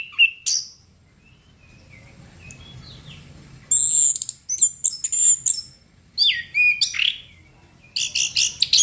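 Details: Chestnut-capped thrush delivering gacor song: a couple of sharp high notes, a long quiet stretch, then a loud run of shrill whistles and chattering, then falling slurred whistles and a final crackling burst.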